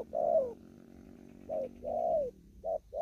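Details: Two mellow falling coos, each led by a short note, from a spotted dove cooing in the fast 'thúc gù' style in an upland field in Kon Tum, with a faint low hum.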